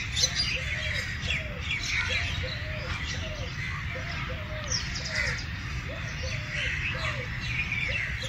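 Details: Eurasian collared dove, also called Turkish dove, cooing low soft three-note phrases with a longer middle note, repeated about every one to two seconds, over busy high chirping from other birds and a steady low rumble.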